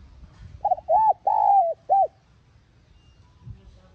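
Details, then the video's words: Spotted dove calling coo, played to stir a decoy bird into cooing quickly: four low, hollow notes in a short phrase, the longest drawn out in the middle, over a quiet background. "Tiếng Cu Gáy Hạp BổI [ TGÁY GỌI ]"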